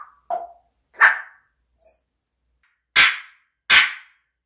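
A parrot gives five short, harsh screeches at uneven intervals over four seconds, some with a thin whistled edge, the last two loud and raspy.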